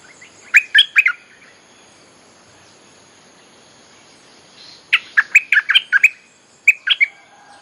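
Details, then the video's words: Bulbul song used as a lure to call wild birds: two bursts of bright, bubbly warbled notes, each a quick run of three to six liquid phrases, separated by a few seconds of quiet. "เสียงนกดอกแตงEp.183.ฟังกันยาวๆ เพลงหัดลูกเสอ ใช้เรียกนกป่า Suara pikat merbah lekir gacor"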